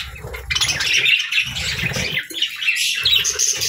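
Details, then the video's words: Budgerigars chirp at morning feeding time in rapid, uneven bursts of squeaky twitters, several birds calling at once, with muffled thumps below. "Good Morning Birds Chirping | Budgie Feeding Time"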